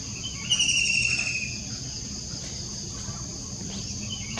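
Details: White-throated kingfisher recorded on 21 June 2021; a brief high, rapid rattling trill of evenly spaced notes near the start, followed by steady insect buzzing and faint outdoor background noise.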